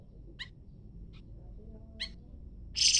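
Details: Leafbird answering a scarlet minivet: two clear stacked chirps about a second and a half apart with a fainter note between, then a loud harsh raspy burst at the end, over a quiet low hum.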